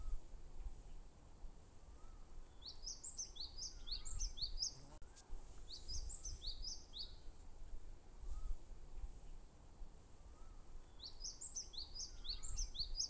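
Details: Himalayan or bar-tailed treecreeper giving a high, thin, tinkling phrase of quick slurred notes three times, roughly every five seconds, against steady low background noise.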